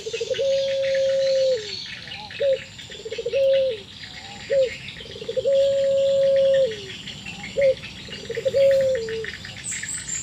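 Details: Barbary doves of the puter pelung variety trading calls, an unusual sound said to mean sadness or breeding condition: loud, long level coos ending in downward slides, alternating with short sharp notes, over faint high chirping.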